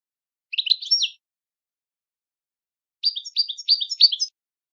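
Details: Goldfinch song used to train birds to sing; a short jumble of high twitters, then after nearly two seconds of silence a rapid string of bright, downward-sliding tinkling notes.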